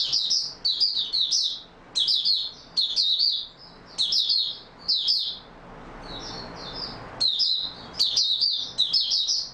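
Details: Caged Oriental white-eye in stable singing form, delivering rapid high twittering bursts of warbled notes, roughly one per second, with a softer quieter phrase midway before loud bursts resume.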